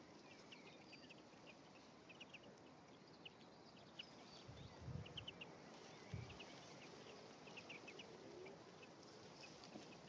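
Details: European greenfinches, a male and female interacting at the nest on 1 May 2015, give rapid series of short high chirps scattered through the recording, with low thumps and bumps near the middle.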